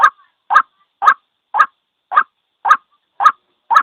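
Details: White-breasted waterhen call played as a lure for trapping birds: eight short, harsh, mid-pitched croaking notes repeated evenly about twice a second, with silence between them.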